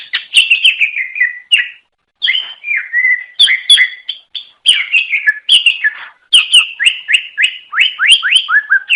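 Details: Greater green leafbird song used to lure others of its kind: a fast, continuous run of varied chirps and slurred whistles, many sliding downward, with only a short pause midway.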